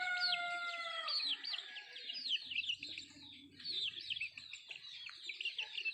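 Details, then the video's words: Nattu kozhi feeding: opens with a drawn-out, falling harmonic call from an adult bird, followed by rhythmic bursts of high, quick peeps repeating about four times a second, with light low hum behind. "Nattu kozhi Food eating and sound effect"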